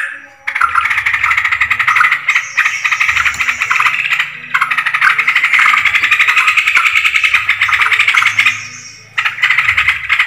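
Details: Yellow-vented bulbul calls from a bird-luring recording: long runs of quick, rattling, bubbly chatter with brief breaks, plus a faint low hum underneath.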